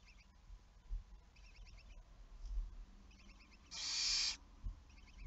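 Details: Barn owl recorded on 11 May 2019 at 23:34: soft clusters of quick ticks repeat through the clip, and a single harsh hissing screech comes near the end, with low knocks in the background.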